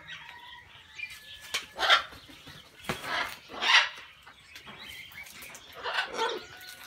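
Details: Macaws inside an aviary giving harsh, raspy squawks in three loud bursts a couple of seconds apart, with softer chatter, sharp clicks and faint whistles between them.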